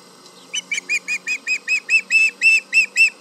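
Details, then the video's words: Osprey at the Charlo nest calling at a tractor nearby, July 31, 2019, around 11am MDT: a steady series of about thirteen shrill whistled yelps, roughly four per second, which grow louder and harsher toward the end. "Yelling at the tractor"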